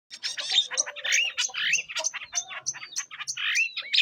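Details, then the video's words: Long-tailed shrike song from Lombok, used as a lure for young wild shrikes: a dense, fast, varied stream of harsh chattering notes mixed with short whistles and mimicked phrases, continuous for the whole stretch. "Cendet Gacor Pancingan Untuk Cendet muda Hutan"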